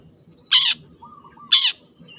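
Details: Two loud, rasping screeches from a wild long-tailed shrike, a low whistled phrase between them.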